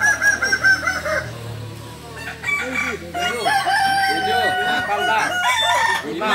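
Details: Balenggek roosters crowing at a contest in the landiak class at Ampang Kualo, Solok city; drawn-out, arching crow notes follow one another in long strings, overlapping from several birds, with background chatter.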